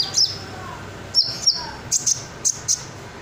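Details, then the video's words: Red sunbird chirping in ngobra style, kept as master song for murai batu, kacer and cucak ijo: crisp, very high paired chip notes, about six pairs, spaced irregularly against a quiet background. "Burung Kolibri Ninja Dada Merah Joss , isiannya Mantap , Red Sunbird"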